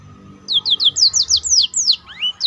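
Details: Black-throated canary song used as a master for training birds: a neat sequence of about ten repeated high downslurred whistles, then one rising whistle and a closing note.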